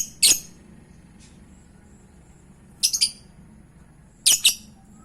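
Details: Shrill lovebird shrieks played as a lure for other birds to answer, three harsh bursts about 1.5 seconds apart, the later two doubled, with faint low background hum.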